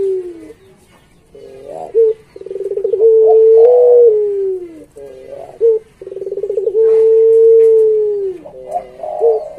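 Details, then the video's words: Training recording of a pet Barbary dove's pelung song: two phrases, each a low falling coo, a short accent note, a rolling trill and a long smooth hum bending downward at the end. "Suara Masteran Puter Pelung Gacor Paling Bagus"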